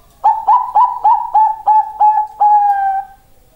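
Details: Perkutut of the Bangkok strain giving a mellow cooing phrase: about seven rapid, soft, slightly rising hooted notes, then one long level note that fades out, with no other sounds.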